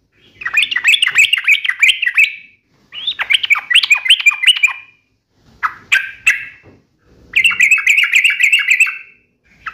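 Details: Yellow-vented bulbul, locally trucukan, in gacor uplik nembak ropel style, giving four rapid chattering bursts of bright, tight notes, each lasting about one to two seconds, with short gaps between.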